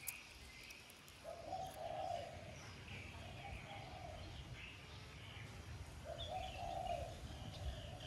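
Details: Spotted dove used as a lure bird with a 'son' voice style, cooing to spur other doves to sing. Soft, low hooted coo phrases come at intervals through steady background hiss and low rumble.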